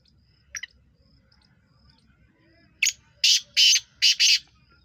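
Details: A black francolin, recorded 23 September 2023, gives one loud rasping phrase of five notes. A brief, sharp lead note is followed by longer, harsh, buzzy pairs. A faint short note sounds earlier over soft low background rumble.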